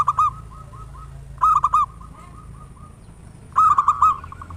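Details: Zebra dove, a local bird with a loud voice, recorded as a singing lure: three loud bursts of quick, rounded coos, each trailing into softer repeated notes.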